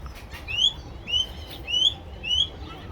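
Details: Gulls fighting over food give four rising, squealing calls, each about half a second long and spaced roughly every 0.6 seconds, over a steady low background rumble.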